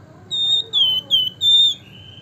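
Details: Javan fulvetta singing: a string of four pure, steady whistles of about the same high pitch, each held briefly, followed by a lower drawn-out whistle, over a low background hum.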